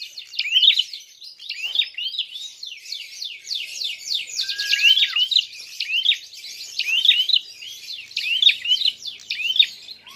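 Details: Excited Prinia fighting call, used to provoke other birds: a nonstop, dense stream of high, buzzy trills with sharp chirps accented throughout.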